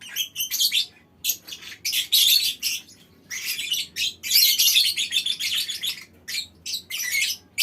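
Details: Lovebirds kept as a colony in a small aviary, giving long ngekek chattering: piercing, grating chirps packed into bursts of one to two seconds, separated by short gaps, many voices overlapping.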